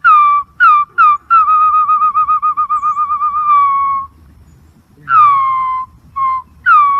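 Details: Green pigeon song: a few short, falling whistles lead into a long wavering, tremolo whistle lasting nearly three seconds, then, after a pause, more falling and rising whistled notes.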